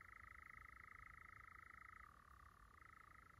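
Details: European nightjars churring in Llanwonno Forest, 2022: a continuous, rapid mechanical trill held at a steady pitch, dropping slightly lower about two seconds in, then rising back, with no other clear sounds.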